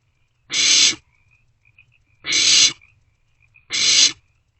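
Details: Owlets of the barn owl in a nest box, early morning hours of 27 March 2024, sharing prey; three harsh hissing shrieks spaced about one and a half seconds apart, faint chirps in the gaps.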